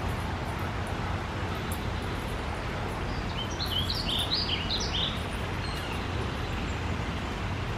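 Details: Warbler of unknown species recorded June 14, giving a brief burst of quick, high, chirpy notes in a tight cluster partway through, with constant low vehicle rumble behind.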